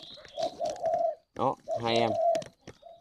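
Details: Spotted dove kept at a bird garden in Ba Vì, Hanoi, Vietnam, giving a low, steady, hollow cooing phrase in several soft notes, followed by a man speaking Vietnamese close by.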